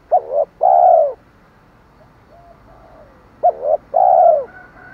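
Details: Repeated 'thổ' style coo of a spotted dove meant to lure wild doves: two phrases about three seconds apart, each a pair of short notes ending in a long, low, rounded coo.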